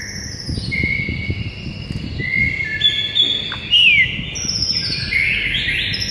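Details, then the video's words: White-rumped shama morning tutor song aimed at rousing a silent bird: faint drawn-out whistles and a falling slur behind steady low rumbling outdoor noise. "Murai batu BISU seketika NAIK EMOSI dengar MASTERAN PAGI ini"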